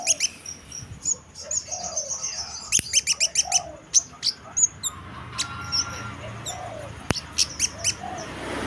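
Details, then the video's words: Lively chestnut munia singing a run of high, thin chips and whistles, some in quick clustered bursts, with soft lower notes underneath and faint background hiss. "Burung Kemade Spek Gacor dor owor owor"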